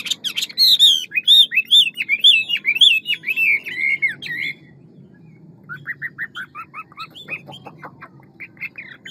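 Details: Hwamei singing a fast, many-voiced forest-style song called ngũ trường: loud, clear whistled phrases that rise and fall, repeated in quick succession for about four seconds, then quieter, higher broken notes after a pause.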